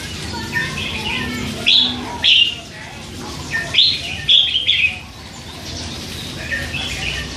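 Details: Hand-fed red-whiskered bulbul, three months old and kept caged, chattering with scattered bursts of high warbled and chirped phrases, some doubled, separated by brief quieter stretches.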